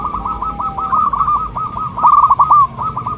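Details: Zebra dove, local type, singing a soft melodious song used as a lure for other doves: an unbroken stream of rapid, evenly spaced cooing pulses lasting over three seconds, swelling louder toward the end.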